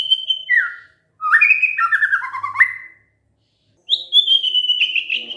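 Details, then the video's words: White-rumped shama, a lure recording to set other shamas answering: a high whistle, a falling slur, a tumbling sequence of mid-pitched warbled notes, then a long high wavering whistle. "pancingan murai batu GAK PAKE LAMA, murai langsung nyaut saat dengar ini"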